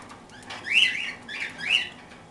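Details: Two clear, harmonic chirps about a second apart, each arching up then down, from parakeets feeding on toast.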